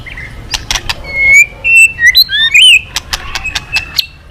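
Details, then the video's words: White-rumped shama resuming song after being quiet: a run of pure whistled notes, some sliding and looping, framed by sharp clicks before and after. "Keganasan murai batu diam jadi rajin bunyi kembali"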